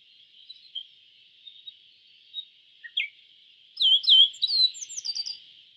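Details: Yellow bunting, an East Asian bunting, gives a thin, high, fast trill that runs steadily, then ends in a burst of sharper, slurred chirping notes.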